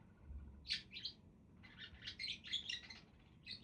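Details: Budgies give a pair of sharp squeaky chirps, then a longer run of rapid, buzzy warbling notes; a faint low thump sounds near the start.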